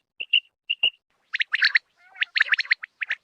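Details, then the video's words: Rain quail call played to lure birds for hunting, dated July 2023. Two clean double pips open, followed by a dense run of buzzy grating notes and a few final clipped calls. "Batair ki Awaz"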